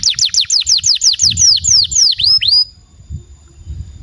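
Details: Timbrado canary singing: a fast run of about a dozen clear, high, downward-slurred whistles, roughly five per second, ending in a few lower notes over a faint low rumble.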